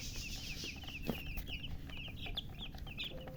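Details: Freshly hatched baby chickens chirping loudly, a rapid flurry of high, sharp, falling peeps, tightly packed, with a sharp knock near the middle and a constant low hum behind.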